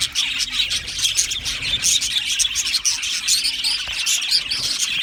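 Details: Aviary flock of Australian budgerigars: rapid overlapping chirps and squeaky whistles, with a few louder individual calls rising above the chatter.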